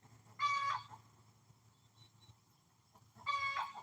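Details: A hen raising a racket, perhaps laying an egg, heard during a live stream: two loud, harsh, nasal squawks about three seconds apart, with quiet background hum between them.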